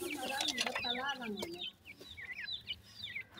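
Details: A voice speaks briefly at the start, then grey francolin chicks kept for sale in Multan continue with sharp, high, down-slurred peeps, spaced a little more widely.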